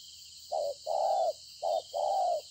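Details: Spotted dove taken from the wild, Konlong, 26/9/2020, giving two soft low coo pairs, each a brief note followed by a longer mellow coo, with a constant shrill insect hum behind.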